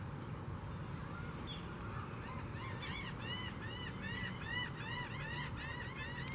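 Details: Several mottled ducks at a borrow pit north of 123 Ave N in Largo, Florida, courting with head-bobbing before mating, give short, nasal, arched calls in quick overlapping series that grow busier after a few seconds, over a low wind or water rumble.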